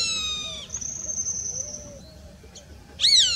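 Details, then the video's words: A roadside hawk (gavião carijó) gives high, nasal, drawn-out mewing screams: a long steady note, then a louder call that rises and drops at the end. "O canto do gavião carijó"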